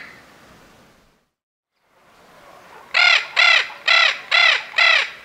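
Five harsh, grating squawks from a Spix's macaw, each arched and rasping, given about twice a second after faint background hiss.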